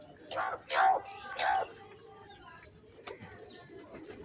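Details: At feeding time a crow gives two rough, nasal caws in quick succession, then quieter scattered bird notes and light background noise.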